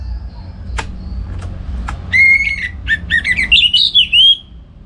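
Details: Orange-headed thrush in northern Bali, morning song for tutoring other songbirds: a few faint clicks, then a fast stream of varied whistled and twittering notes rising toward the end.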